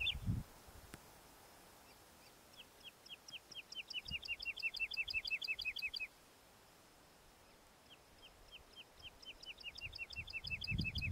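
Woodlark song: two phrases of liquid, slightly falling notes that speed into a rapid rolling trill, separated by a pause, over a soft low rumble.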